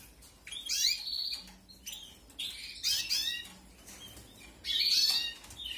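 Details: Canary nestlings begging as they are fed in a 2021 aviary breeding: three loud bursts of harsh, high, buzzy chirps roughly every two seconds, with soft background hum between.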